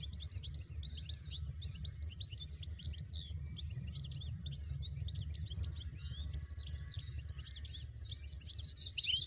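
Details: Wild European goldfinch giving a long, continuous stream of fast, tinkling twitters and trills, with a low droning background that sounds like music underneath throughout.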